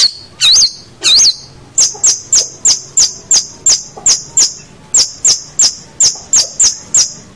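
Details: Long-tailed shrike in full, vigorous song used as a tutor recording for training young birds: two looping high whistles, then a fast series of short sharp upslurred notes repeated about every third of a second.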